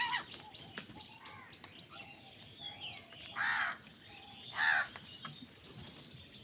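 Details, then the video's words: Crow calling while crows fight for food outdoors: two loud harsh caws about a second apart stand out over a noisy background of fainter calls and other birds. "কাকের ডাক Crow Sound Crow ki Awaz Loudly | Crow bird Fight for Food"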